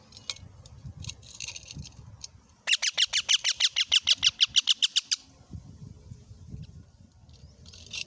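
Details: Parrot that has just eaten a tomato bursts into a long, rapid run of about eighteen loud, harsh screeches, framed by softer squeaks and low room rumble.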